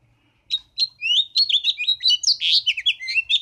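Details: House finch singing: a loud, rapid, jumbled warble of high twittering notes with slurred rising and falling phrases, running continuously for about three seconds after a brief quiet start.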